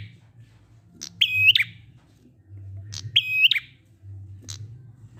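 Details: Prinia song meant to draw other prinias into song: two phrases of click plus high, even whistle with harmonics ending in a quick downturn, about two seconds apart, an extra click after, over low background hum.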